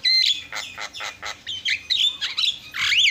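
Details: Javan myna singing fill-in material, a short burst of rasping, noisy squawks followed by whistled rising and falling notes, ending in a loud harsh sweep.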